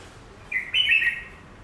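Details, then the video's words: Chinese laughingthrush kept as a cage bird, singing at its reflection in glass: one loud, rich whistled phrase, a brief note then a sustained warbling slur lasting about half a second. "Đặt Chim Khướu Bạc Má Trước Tấm Kính Xem Phản Ứng Thế Nào ?!!"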